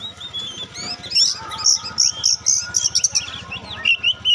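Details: Oriental magpie-robin (kacer) singing a dense lure song: fast chattering high notes, repeated piercing short whistles and looping slurred phrases, ending in clear whistles, over low background hum.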